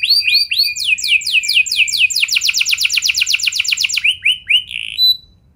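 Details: Canary rolling song played to make other canaries join in: several swooping whistled notes, downward sweeps, then a long rapid buzzy trill, closing with slower slurs that fade out.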